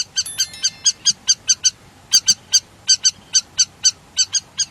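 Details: River lapwing calling in a rapid series of short, sharp, high-pitched notes, about five per second, in two bursts with a brief pause between, each note strongly harmonic and metallic; quiet background.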